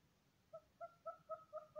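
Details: Red-billed hornbill in The Gambia gives a run of five or six hollow, clucking notes, quickening slightly, about four per second, in a quiet setting.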